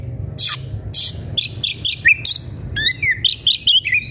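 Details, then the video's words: Combative Oriental magpie-robin seeking a rival pours out a quick series of harsh chattering bursts followed by bright whistled upslurs and downslurred notes, closely spaced, with a faint low hum beneath. "KACER EMOSI CARI LAWAN/ Suara kacer gocor dan emosi cari lawan tarung"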